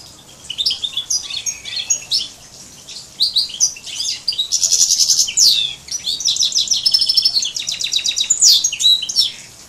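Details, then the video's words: Hybrid of a major and a canary singing: bright high twittering phrases, rapid buzzy trills and repeated chips, with fast rattling runs and sweeping whistled notes in continuous varied bursts. "chant 2 major x canari"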